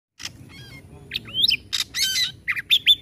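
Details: Hard-hitting white-rumped shama song: scattered harsh buzzy notes, then loud rasping bursts mixed with sliding whistles around the middle and end.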